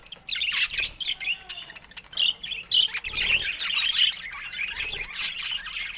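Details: Colourful pet budgerigars, including rare colour mutations, chattering in a dense, continuous stream of warbled chirps and squeaky notes, with brief louder whistled peaks between two and four seconds.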